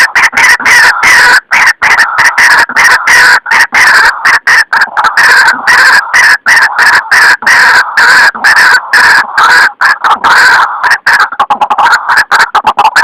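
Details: Trapping lure of white-breasted waterhen, described as clear and true to wild birds: loud, unbroken harsh croaking, rapid and overlapping, heard throughout with brief gaps.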